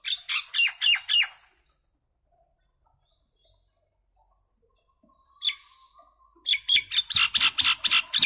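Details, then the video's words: Common myna (Indian maina) singing: a quick run of harsh squawks, a pause of several seconds, a single loud note, then a fast series of rasping, repeated squawks about four per second. "Common myna bird song | Indian maina sound | mynah singing"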